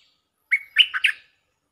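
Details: A stripe-throated bulbul gives its lure song as a quick, mellow phrase. A slurred opening note leads into three bubbling, warbled notes, all within about three quarters of a second.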